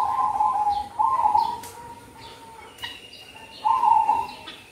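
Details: Zebra dove (merbok kampong) song for luring in the cold season: repeated rolling coo phrases, a softer drawn-out tail between them, with a couple of sharp clicks and a faint steady high tone.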